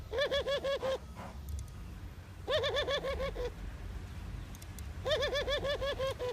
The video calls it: Mourning dove call Sound Effect, Doves cooing